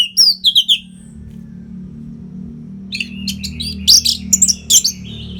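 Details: Orange-headed thrush from northern Bali, Singaraja, in nonstop tutor song used to train fighter birds: a quick run of four descending whistled notes, a pause, then dense bursts of sharp high chirps and buzzy trills.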